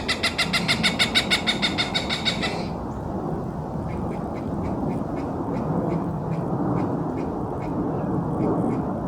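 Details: Cooper's hawk in an urban setting calling a rapid run of loud, harsh cak notes, roughly five per second for over two seconds, then fainter repeated notes trailing off against constant city traffic hum.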